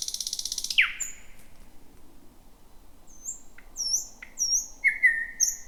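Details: Thrush nightingale, the first of 2026, singing near midnight in thick bushland near Roadyfield: a fast rattle and a sharp down-slurred note, a pause, then high thin whistles and a sustained lower note.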